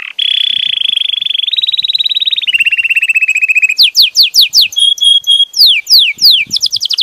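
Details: Belgian canary pouring out a long rolling trill that steps up and then down in pitch, then switches to bursts of rapid down-slurred notes and short paired whistles.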